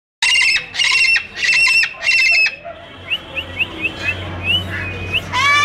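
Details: Trained pet parrot giving four loud, harsh, raspy squawks in quick succession, each about half a second long, followed by a run of short, quieter rising chirps and whistles, then a final burst of harsh squawking.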